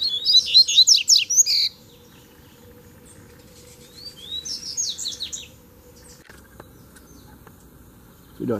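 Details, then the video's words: Three male Double-collared seedeaters arrived together for a fighting song duel. There is a loud, rapid jumble of high chirps and trills, then a softer rising series of slurred notes a few seconds later. A low click sounds toward the end. "VEIO 3 COLEIROS BRIGAR DE UMA VEZ SÓ DUELO DE FIBRA!!!"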